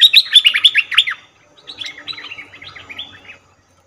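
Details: Trapping lure of a cream-vented bulbul: a loud, fast tumble of high, twittering notes for about a second, then a softer, buzzier chatter of repeated chirps before stopping.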